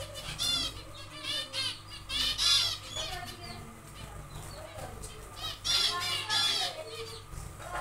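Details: Zebra finches in a small aviary on their second day of nest building give loud nasal, harmonic beeping calls in short bursts, several in quick runs, over a steady low mechanical hum.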